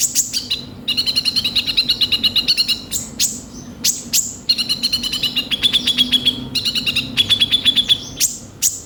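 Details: Lure song of a Crimson Sunbird (konin), used to push young birds into singing: long, fast, high trills of evenly repeated ticking notes, broken by sharp chirps, recurring across the stretch.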